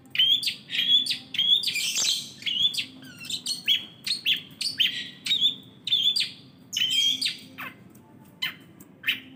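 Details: Long-tailed shrike singing actively, with a dense run of sharp whistled and chipping notes, some clear pure tones repeated rapidly and irregularly, one brief noisy rush midway, and a low background hum throughout.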